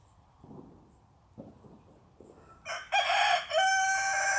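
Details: Rooster crowing: a few faint low clucks at first, then a loud, harsh, strained crow with rich harmonics rising and holding for nearly two seconds to the end.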